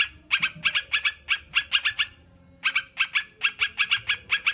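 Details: Sooty-headed bulbul song meant to prompt kept birds to start singing: lively runs of clipped, ringing double and triple notes, one brief gap midway, soft background rumble.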